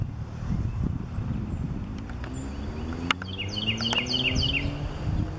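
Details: A Northern cardinal at Cypress Wetlands sings a quick series of four or five clear, downslurred whistles, repeated at an even pace, over a steady rumble of passing traffic.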